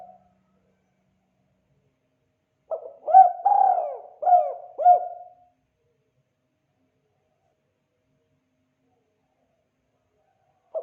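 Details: Spotted dove calling in the kuk 2 style, a call used for training and luring: one phrase of four deep, hollow coos, the second one drawn out, with silence before and after and the start of the next phrase at the end.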